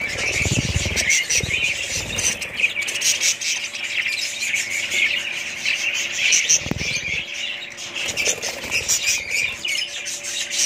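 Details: Many budgerigars chatter in high, scratchy warbles and squeaks, interrupted by low thumping knocks at the start and middle.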